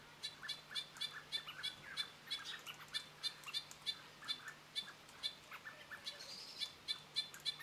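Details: Kaka feeding near a feeding station at Mount Bruce, New Zealand, on 14 June: rapid, repeated short bright chirps, about three per second and somewhat irregular, with a steady low hum underneath.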